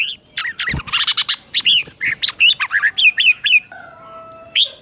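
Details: Captive-bird training song of a red-whiskered bulbul in the doubled style: a burst of bubbly chirps, then rhythmic pairs of rich warbled whistles, ending as a soft steady tone sounds in the background.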